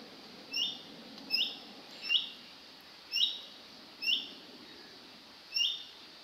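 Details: A male orange-bellied leafbird in Hong Kong gives six sharp, clear upslurred notes, about one every second, over a faint background hum.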